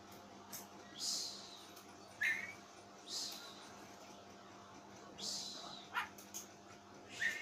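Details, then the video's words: Caged Oriental magpie-robin with an odd voice frightening its owner, producing several breathy rasping bursts with short whistled chips after them, spaced one to two seconds apart, over quiet indoor hum. "KACER BERSUARA ANEH"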